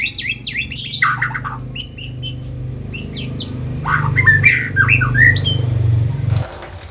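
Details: Song of a white-rumped shama, used to encourage other shamas to sing; crisp rattled chips and quick downslurred whistles in short bursts, then scattered whistled notes over a loud low hum that cuts off near the end.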